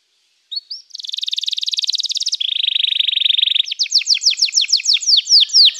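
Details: Canary performing a fast buzzing trill that drops to a lower rattling tour, followed by a slower series of sharp descending whistled strokes.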